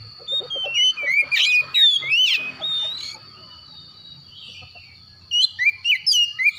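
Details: Oriental magpie-robin heard in the morning, with varied whistles and chirps over a steady high tone and low background hum, then a short lively run of rising whistled notes after a lull.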